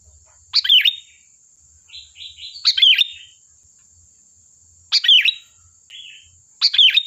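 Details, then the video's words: Sooty-headed bulbul singing vigorously as a lure to make other birds respond: four loud, liquid, chirpy phrases with quieter buzzy notes between them, over a thin steady whine. "Suara burung Kutilang Gacor || Ampuh untuk pancingan, dijamin nyaut"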